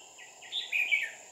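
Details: Red-whiskered bulbul, an old wild-caught trapping decoy, recorded 5 May 2019: short rising chirps leading into a bright warbled whistled phrase, under a steady high-pitched insect drone.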